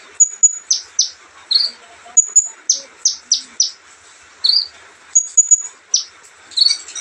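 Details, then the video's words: Relaxed olive-backed sunbird song made of high piercing whistles, rapid steep down-slurred chips in runs of three or four, and a few short buzzy rising notes, in a steady lively rhythm. "kicauan santai Kolibri ninja"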